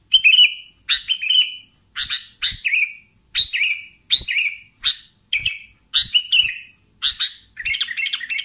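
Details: Sooty-headed bulbul singing actively: repeated sharp chirps with dipping warbled tails, about one phrase per second, building into a rapid bubbling chatter at the end, with faint low taps between.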